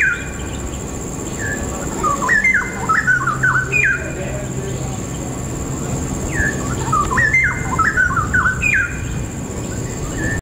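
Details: A straw-headed bulbul in tropical jungle, recorded on a November 2016 bird walk, gives two bursts of loud, rich, bubbling warbles with tumbling up-and-down notes about five seconds apart, over a low background rumble.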